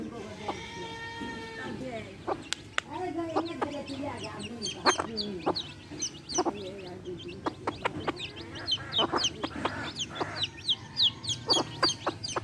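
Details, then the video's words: Hen with baby chicks: low, drawn-out hen clucks and murmurs mixed with bursts of thin, high chick peeps that grow denser toward the end. "baby chicks chirping sounds"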